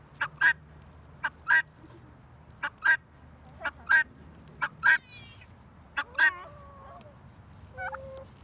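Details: Guineafowl giving loud, sharp, clipped calls about once a second, with softer wavering notes near the end over quiet background noise.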